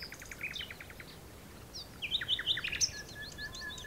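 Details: Common nightingale singing in the dunes of Texel: a rapid series of dry clicking notes, then bright rising whistles and quick trills, varied and high-pitched, with soft background noise.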